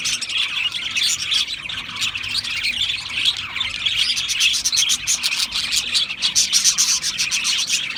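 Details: Dense twittering of several Australian parrots, rapid high chirps and trills that run together, growing busier and more clipped toward the end.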